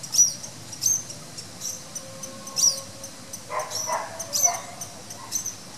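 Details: At the Rio de Janeiro botanical garden in Brazil, a masked water tyrant gives a quick cluster of rough nasal notes midway through. Sharp high chirps from other birds and a background tick of insects are also heard.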